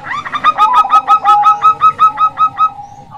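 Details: Zebra dove (perkutut), described as a local female, used to lure males; about a dozen clipped, ringing coo notes repeated rapidly and evenly with a second slightly lower overlapping voice, fading out at the end.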